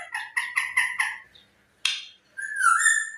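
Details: Talking parrot uttering four quick nasal, harmonic notes in a row, a single sharp burst, then a drawn-out wavering whistle.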